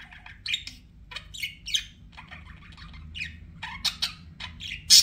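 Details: Pet budgerigars utter separate rising chirps and scratchy squawks at irregular intervals, ending with a loud shrill squeak.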